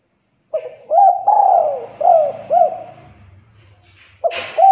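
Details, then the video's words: Spotted dove lure call: after a brief quiet start, a phrase of low, mellow coos with one long descending note, a faint low rumble underneath and a short sharp noise near the end before more cooing. "Pancingan Suara Derkuku Tekukur AMPUH atasi derkuku MALAS BUNYI"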